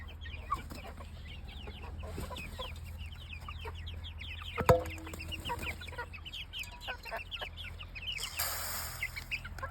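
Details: Many chicks in a dense chorus of short, high, downward-slurred peeps, overlapping constantly, with a steady low hum underneath, a sharp knock near the middle and a brief hissing burst near the end.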